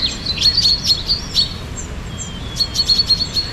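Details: A spring morning chorus: clusters of sharp, high twittering chirps, a pause with a couple of thin whistles, then another quick run of chirps over light background noise.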